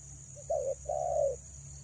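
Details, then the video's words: Female spotted dove luring males, giving a soft short note, then a brief coo and a longer, drawn-out mellow coo, against a faint steady hiss and low hum. "BURUNG TEKUKUR BETINA PREM4N MENGH4JAR PIKAT"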